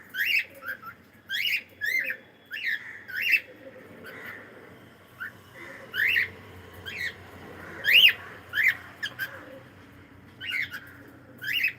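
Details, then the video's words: Pet cockatiel singing: a long run of short whistled and chirped notes in uneven bursts, some rising sharply, others clipped, with brief pauses and a quiet indoor background. "Cute Cockatiel singing and sound"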